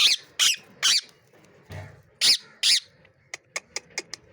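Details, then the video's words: Angry parrot giving loud, harsh squawks in uneven bursts, some rising and falling in pitch, followed by a short series of rapid, high clicking notes. "cute angry parrots Talking गुस्सा वाला मिट्ठू"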